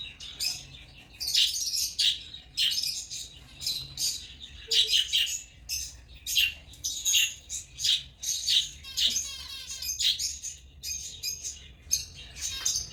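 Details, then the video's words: African lovebirds chirping: a dense run of shrill, high squeaky chirps and harsh squawks packed closely for the whole stretch, several birds overlapping with no steady rhythm. "Love birds singing and chirping sounds| African love birds chirping sound"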